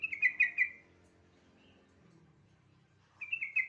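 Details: Yellow-vented bulbul song, used as a lure to prompt other bulbuls to sing: three quick bubbly, chortling phrases, then a long quiet gap with a faint low hum, and another bubbly burst at the end.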